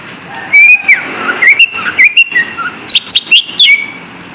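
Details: Green leafbird song meant to make kept birds stop being lazy and sing: a long flat whistle, then wavering warbled phrases, ending in a quick series of rising, sharp notes.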